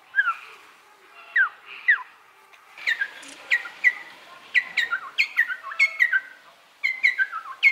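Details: White-crested laughingthrush, one of a captive male-and-female pair, singing a rapid, chattering series of loud, slurred whistled notes, many sliding downward, delivered in bursts with short pauses between them.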